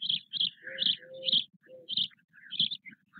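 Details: Four nearly equal-sized White stork chicks in a nest at Nové Mlýny, Czechia, with their father on 8 May 2024, give sharp, high chirping bursts about twice a second, mixed with lower drawn-out whining notes.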